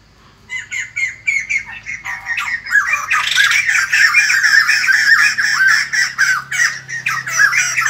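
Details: A morning outburst from the White-crested laughingthrush: rhythmic squawking notes building into a dense, raucous laughing chorus that grows fuller and louder partway through and keeps going.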